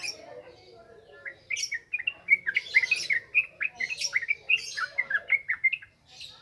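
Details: Song of a yellow-vented bulbul for lure training: continuous chattering, bubbly phrases with sharp high accents, fairly loud throughout before fading briefly near the end.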